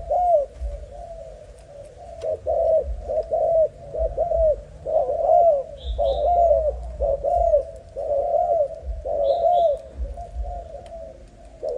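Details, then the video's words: Young male spotted dove of a Malaysian strain coos steadily: deep, mellow notes in runs of two or three, about one each second, with brief faint chirps from another bird and a little background noise. "Cu gáy Malaysia"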